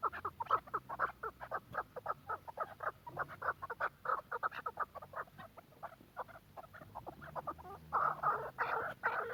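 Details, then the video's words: Softer run of quick clucking chuck notes from a Quetta chukar partridge, irregularly spaced, swelling into a louder, denser chattering burst at the close. "کوئٹہ چکور کی مستی کا شوق کریں be font of quetta partridge"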